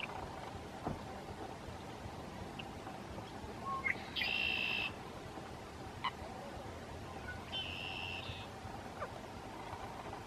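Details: A Red-winged Blackbird (Agelaius phoeniceus) calling from the reeds at Lake Arrowhead State Park, Clay County, Texas, on March 2, 2017, gives two harsh, buzzy trills about three seconds apart, each opened by a short clipped note, over a steady low rumble.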